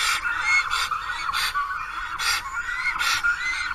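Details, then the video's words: Black stork calling for a mate at its nest, Karula National Park, 10 April; last year's female did not return. Four or five loud hissy bursts alternate with soft arched whistled tones. "10 апреля, аист зовет подругу."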